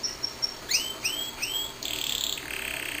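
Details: A pet canary's song phrase, fairly quiet: a few thin high chips, three rising slurred whistles, then a dense buzzy rattling trill.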